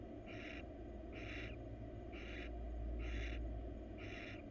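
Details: A wild female barn owl looking for attention inside a nest box makes rasping, breathy hisses, five evenly spaced bursts against a constant low-frequency drone.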